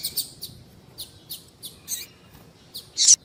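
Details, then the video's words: Female double-collared seedeater call used to prompt males into song: a run of thin, high chirps about every third of a second, ending in a louder, rougher burst. "Piado de Fêmea de Papa capim é Seu Papa capim Vai Ficar Cantando RÁPIDO!!!"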